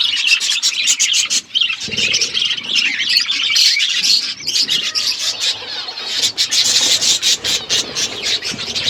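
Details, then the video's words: Recorded February 25, 2024 as a parrot eats: an unbroken wash of sharp, high chirps, many birds seemingly calling at once, with a short low thump early on. "Beautiful Parrot eating food birds chirping sounds"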